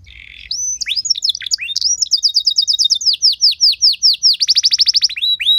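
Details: Canary training song with luxurious melodic turns, meant to stir other canaries into singing: a varied high run of bright whistled slurs and swoops, then a fast rattling series of downward strokes, ending in more falling whistles.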